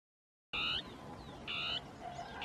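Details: Dusky tapaculo giving its territorial song among shrubs, with two birds interacting; two short harsh, buzzy churring notes about a second apart after a silent start, over a soft hiss of background noise.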